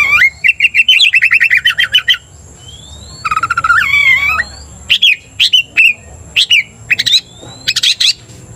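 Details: Provocative Oriental magpie-robin song: rhythmic pulsed trills repeated in quick series, a rising whistled glide, and separate sharp upswept notes spaced about every half second, over a faint high steady whine.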